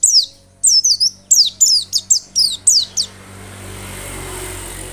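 A white-eye sings a quick run of about eight high, thin, down-slurred notes over three seconds, then soft background hiss takes over.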